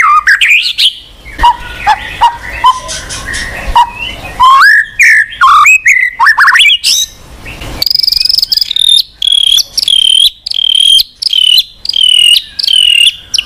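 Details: White-rumped shama, or murai batu, singing to rouse a silent bird: varied sweeping whistles and sharp chips, shifting into a fast regular series of high, bouncing, repeated notes.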